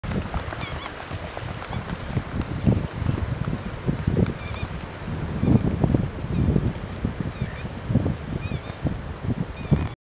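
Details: Black swans at the Western Treatment Plant, apparently fighting, give honking, bugle-like calls in uneven bursts with faint higher notes over heavy low rumbling like wind or splashing.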